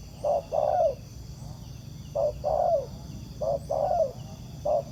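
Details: A wild spotted dove answers a ground decoy while being trapped. Its phrases are a clipped note followed by a drawn-out descending coo, repeated in three bursts with a short trailing note at the end, against soft background hum.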